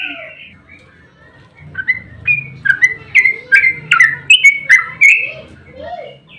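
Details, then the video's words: Yellow-vented bulbul's fighting song, played to get other birds calling: after a quiet, noisy start, a sequence of clear whistled phrases builds up at about two per second, then fades. "Trucukan GACOR ROPEL TERPANJANG buat pancingan trucuk agar cepat bunyi"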